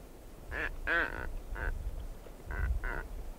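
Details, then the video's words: Female blue-footed booby walking around her nest site, recorded close up: five short nasal, quacking honks in two bunches, the second call the strongest, over low rumbling background noise. "Blue-Footed Booby. Calls CU From Female Who Is Walking Around Nest Site"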